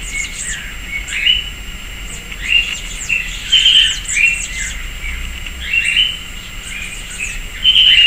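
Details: Sayaca tanager, a common urban bird in Brazil, visiting a persimmon tree in a backyard in Piracicaba, São Paulo: thin, squeaky, rising chirps in irregular bursts, with higher twittering from other birds and a steady faint tone.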